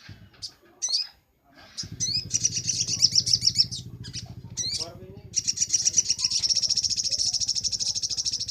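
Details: Sunbird song for training songbirds: high sharp chips and rapid buzzy trills, the last trill running for over three seconds, with a steady low engine-like drone throughout.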